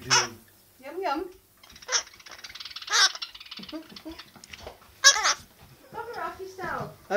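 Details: Pet Hahn's macaw indoors, talking in short garbled speech-like phrases with squeaky, warbling syllables and sharp high squawk-like accents, in a small quiet room.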